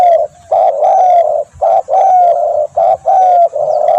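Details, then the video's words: Loud, close Spotted dove cooing for luring and training birds; mellow, slightly falling coos run almost continuously, with short notes between the longer drawn ones. "SUARA tekukur"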